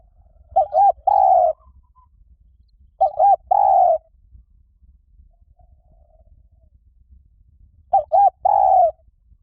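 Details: Spotted dove cooing, used as a lure call to draw in wild doves: three phrases spaced a few seconds apart, each two quick low coos followed by a longer, fuller coo, all mid-pitched and clean against a quiet background.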